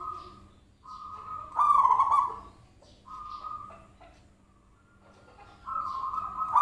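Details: Lure recording of a zebra dove: short steady whistled notes around a loud rough coo, then pauses and a rising final coo, with faint clicks between.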